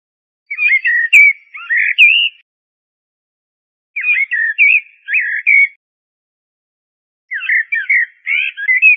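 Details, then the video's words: Common blackbird (Turdus merula) song: three short, well-spaced bursts of throaty, fluting notes, each lasting about two seconds and followed by a pause of equal length, in a quiet setting. "تغريد طائر الشحرور ( جحمومية - الزرياب ) Turdus merula"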